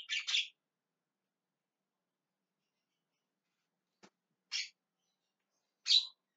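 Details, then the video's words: Javan myna giving scattered calls: a doubled harsh squawk, then long silence, then two more single rasping notes several seconds apart. "JALAK KEBO TERIAK TERIAK MEMANGGIL"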